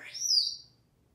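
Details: Very talkative pet African grey parrot, male, hatched 1997, living in a home in Texas, whistles between naming colours. A single clear whistle rises steeply, holds high, then dips slightly and fades, followed by quiet.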